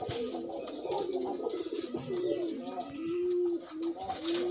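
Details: Pigeons pairing outside a cage. Steady, rounded coos with gliding pitch run together, then a long held coo near the end, over soft rustling.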